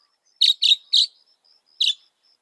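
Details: Northern mockingbird, a mimic of some 200 sounds, uttering three quick high raspy notes in succession, a pause with faint thin whistles, then one more matching note.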